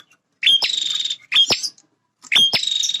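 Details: Male bar-winged prinia guarding its territory: three quick phrases, each a sharp click opening into a dry, sizzling buzz lasting about half a second, separated by short silences.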